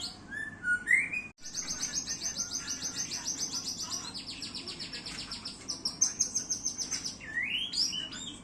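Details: Caged white-rumped shama being readied to perform at a songbird contest in Indonesia, giving a few rising whistles and then a long fast run of high rattling buzzy notes, over a steady low hum.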